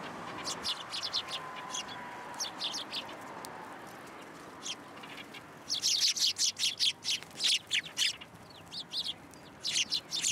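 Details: Sparrows visiting for food at Tenmangu shrine on 27 December 2022: scattered soft chirps at first, then a sudden loud volley of rapid high notes, tapering into intermittent calls.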